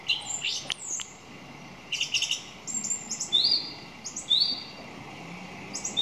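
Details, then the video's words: Varied song thrush phrases: sharp high notes, then rising whistled slurs delivered one after another with short pauses between them, over a low steady background hum. "Song Thrush 2"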